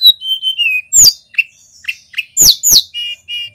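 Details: Male mountain white-eye from Pacitan, in full energetic song used as a lure and tutor recording: clear whistled notes, some slurred downward, mixed with sharp high chirps and short buzzy trills, delivered in quick varied bursts.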